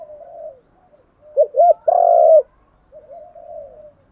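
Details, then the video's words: Decoy spotted dove urging wild doves to coo back. Faint mellow cooing is followed by two quick arched notes and a long loud coo, then softer cooing again. "chim cu mồi kích bổi, tiếng thúc gáy gọi kích thích bổi rất xiêng gáy theo"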